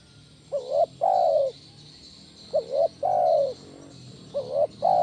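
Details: Low cooing of a spotted dove in the loud 'kuk 1' style, used as a training lure for other doves. A short rising double note precedes each long, even coo, repeated three times over faint hiss.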